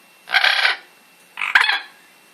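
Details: Amazon parrot giving two harsh, raspy squawks about a second apart, each a broad, noisy burst lasting roughly half a second, in a quiet indoor setting while a person coaxes it on.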